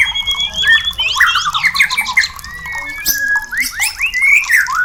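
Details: White-rumped shama song used to stir birds into breeding condition and mating: dense, overlapping whistled notes and slurred phrases, with quick up-and-down sweeps crowding together almost without pause.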